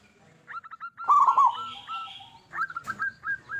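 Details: Zebra dove of a local strain, a frequent singer, used as a lure to make others sing. Short clear notes and a burbling trill come in a quick string, with a faint hiss in the background.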